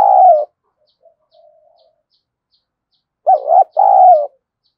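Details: Decoy spotted dove urging rivals to fight. A drawn-out, throaty coo is followed by a quiet pause with faint murmurs, then a loud two-part wavering coo phrase.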